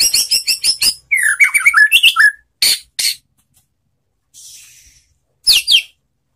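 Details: White-rumped shama song used to prompt other shamas to sing back: a quick series of sharp, high chips, then a tumbling run of varied whistled notes, with scattered short calls and a faint hiss after a pause.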